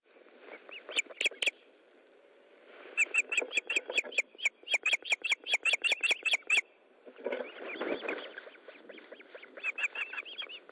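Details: Osprey at its nest during a fish delivery, evening of 13 July 2012 at 20:15; bursts of sharp, high, clipped chirps repeated rapidly several times a second, pausing, then resuming, ending in a harsher noisy stretch with softer calls.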